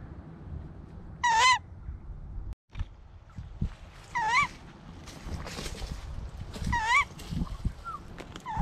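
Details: Captive tawny owl, not yet fed after flying and exercise in the trees, begging noisily: three strong, rasping, wavering calls about three seconds apart and a fainter one at the end, with rustling and a brief dropout.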